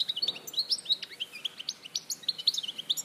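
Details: European goldfinch in Larache, 2014, pouring out an unbroken stream of bright, clipped chirps and liquid twittering slurs at a steady, lively pace.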